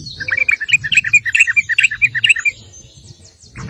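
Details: Sooty-headed bulbul (trucuk) singing in the lively ngeropel style, a lure to get other bulbuls to answer: quick bright chirping phrases for about two and a half seconds, then near silence with a faint low rumble.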